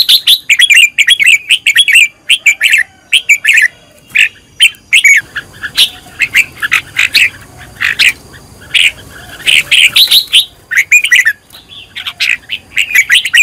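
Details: Red-whiskered bulbul singing bright, warbling phrases of rich whistles in quick bursts with brief pauses, recorded as a training song for other bulbuls to learn from.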